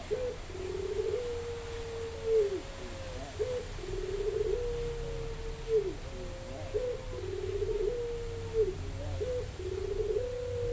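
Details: Spotted dove song of low, mellow coos, long flat notes followed by brief broken accents, phrases repeating roughly every three seconds against a quiet rumbling background.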